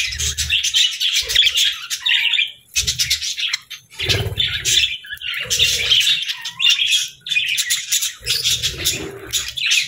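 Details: Happy budgerigars chirping and singing: dense, fast warbling chatter of buzzy, scratchy notes with quick whistled chirps, continuous with brief pauses, joined by low soft thumps and rustling.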